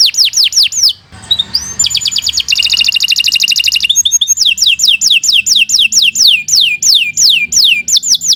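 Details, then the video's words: Caged canary in full, long song meant as a tutor recording for other birds; rapid rolling trills and a rising whistle lead into a long run of repeated downward-swooping whistled notes, several each second. "Kicau Burung Kenari 149 II LUAR BIASA GACOR PANJANG Cocok untuk Masteran"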